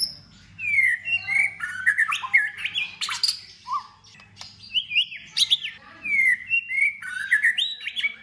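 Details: Shama, white-rumped, belting out a many-voiced competition song with tail flicks in the cold season: sweet slurred whistles rising and falling, quick warbled runs and scattered clicks, near-continuous over several seconds.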